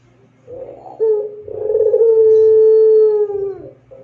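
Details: A Barbary dove (Streptopelia risoria, puter pelung) sings a long, clear song: a short note, then one long, smooth, steady coo held for about two seconds before it fades, over a faint low hum.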